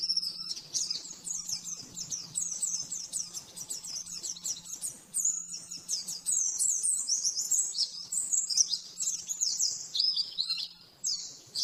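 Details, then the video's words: Fast 'nembak-nembak' master song of the oriental white-eye, made for training caged birds: long streams of quick, high, descending twittered notes that grow denser and louder midway, with a faint low hum. "Masteran burung pleci nembak-nembak 100% jernih"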